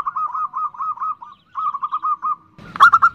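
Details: Nutut call of a female zebra dove summoning the male: two fast trilled runs of short cooing notes with a pause between them, then a louder, noisier burst at the end.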